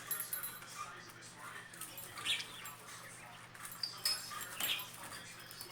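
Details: Pet budgerigars excited over kale give brief, sharp high chirps scattered over soft rustling and a low household hum.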